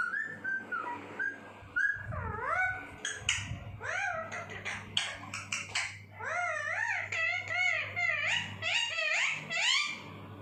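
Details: Pet talking parrot indoors, producing a run of clear, harmonic, speech-like phrases with swooping rising and falling tones, in short bursts separated by brief pauses, some whistle-like notes, and a low steady hum beneath.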